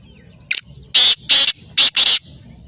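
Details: Black francolin calling: one short sharp note, then four loud, harsh, rasping bursts delivered in two pairs over about one second, against a quiet background.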